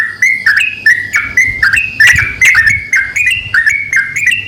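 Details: Pair of yellow-vented bulbuls, male and female, trading clear fluty notes in short bouncing phrases spaced about half a second apart; a soft low rumble sits in the background.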